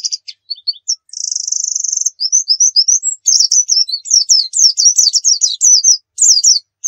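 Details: White-eye of the dakun type from Pacitan singing energetically: scattered chirps, a sustained high rattling trill over a second long, then a rapid series of slurred whistles and downward-sweeping twitters.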